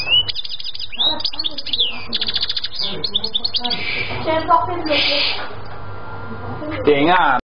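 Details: European goldfinch song of quick twittering phrases, a tight rattling trill around two seconds, then harsher buzzy notes and a rising sweep before stopping abruptly.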